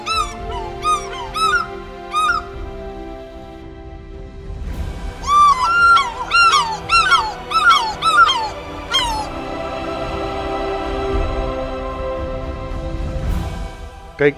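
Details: Two African fish eagles calling on safari: ringing, yelping notes that fall in pitch, given in quick repeated bursts over a low background hum and faint music.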